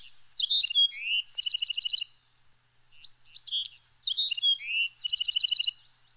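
A Bewick's wren sings a bright song of quick buzzy notes ending in a fast rattling trill, twice.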